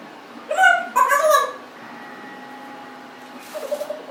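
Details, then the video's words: Congo African grey parrot, a 1.5-year-old pet kept indoors, giving a few short warbling, speech-like calls in a row, then quiet, then a brief low murmur near the end. "Abaddon talking, burping, lots of vocalizing."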